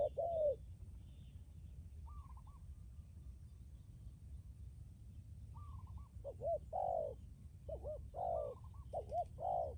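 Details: Spotted dove decoy bird with a strong, lasting coo, kept for luring wild doves. After a quiet start, low hooting coos come in a burst of six or seven notes in the second half, over a steady low hum.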